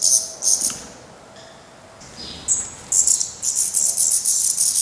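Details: Fledgling black redstarts at their nest in Portugal, being fed by the parents after first flight attempts: short shrill hissing bursts, a quiet lull of about two seconds, then a fast string of rasping high pulses.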